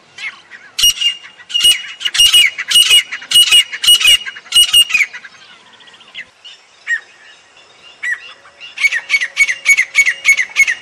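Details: Grey francolin: a series of sharp repeated squawking notes with whistled overtones, a quieter middle stretch with faint sounds, then another rapid burst of calls at the end.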